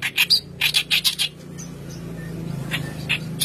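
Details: Kerak basi with white brows, singing hard as a lure. Fast harsh chattering notes come at about three per second, then fade into a low hum with a few scattered chirps.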